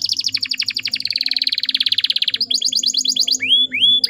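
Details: Female canary sound played to get males singing: a fast, buzzy rolling trill of high notes repeating about three times a second, shifting to a sharper, higher rattle and then to a few rising whistled slurs.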